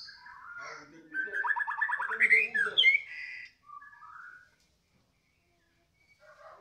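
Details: White-rumped shama in full, lively 'gacor' song right after feeding, in the 'balak 6' style: a fast run of repeated notes rising in pitch, then short whistled and chattering phrases with brief pauses, faint voices nearby.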